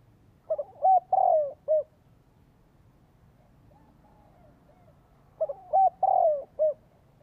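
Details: Spotted dove calling as a lure for wild birds, giving the same phrase twice about five seconds apart. Each phrase has quick soft notes, a rising coo, a long falling coo and a short final coo.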